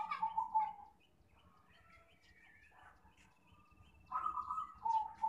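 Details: Zebra dove lure call for trapping, heard faintly over a noisy background. Quick pulsed coo trills open and close the recording, with thin higher whistles from other birds in between.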